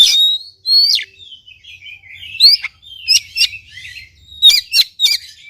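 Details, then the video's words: Kacer, the Oriental magpie-robin, singing on a lure track for a bird that is slow to sing: clear whistles slurring up and down, chattering runs, and a string of sharp clicking notes. "KACER GACOR||PACINGAN &MASTERAN KACER MALES BUNYI"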